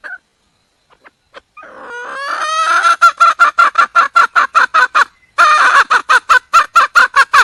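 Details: Wild red junglefowl hen calling for a male: a few soft clucks, then a rising harmonic squawk that breaks into a loud, steady series of sharp clucking notes, about two to three per second.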